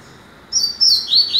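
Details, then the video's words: Rusty-collared seedeater singing in the tuitui style on a September morning: a few high, thin whistled notes, the last ones slurring downward, over a steady low background hiss. "Coleiro tuitui"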